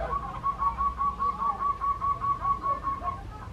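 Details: A tame zebra dove gives a rapid series of short, pulsed notes at a steady mid pitch, about two or three per second. The string runs for roughly three seconds over a faint low hum.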